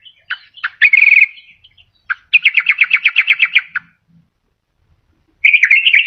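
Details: Sooty-headed bulbul lure song, used to attract wild birds and prompt reluctant caged bulbuls to sing: short chirps, then a quick run of about a dozen repeated bright notes, ending in a rising bubbly phrase.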